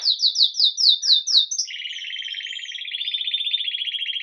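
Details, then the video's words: Red mosaic agate Belgian canary in lively morning song of the 'Campainha' bell style, recorded live: six clear high descending notes in quick series, then a sustained buzzing rolled trill that brightens toward the end. "Canário Belga Ágata Vermelho Mosaico Canto Campainha"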